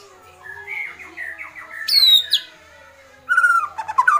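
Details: Excited white-rumped shama performing kretekan: a run of falling whistled notes, a loud high pure whistle, then a quick chattering burst of clicks and warbled notes.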